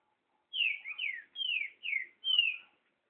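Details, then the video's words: Green-winged saltator song: five loud, clear whistled phrases, each sliding downward, delivered in quick succession over about two seconds in a quiet setting. "TRINCA FERRO ESPANTALHO"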